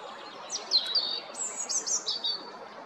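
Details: Spring song of a European robin at Jarun, Zagreb, Croatia, 13 April 2022: high, sweet, tumbling phrases mixing drawn-out thin whistles and quick twittering notes, delivered in short bursts with brief pauses, soft background noise.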